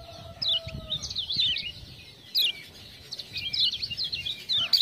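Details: Lemon-bellied white-eye of Lombok singing after ciak-ciak prompting: two bursts of quick high squiggly chirps a couple of seconds apart, a brief low whistle near the start, soft background hiss.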